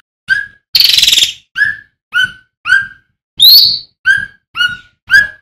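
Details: Male striated swallow in loud, full song, offered as a tutor recording for training other birds: short, downward-slurred whistled notes repeated about twice a second, broken by two harsh, buzzy rasping bursts.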